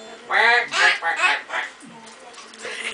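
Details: Pet male Goffin's cockatoo that sounds like a duck, a habit possibly learned from a young Timneh African grey neighbour at the breeder: three or four harsh, nasal quacking honks in quick succession, then quieter rustling.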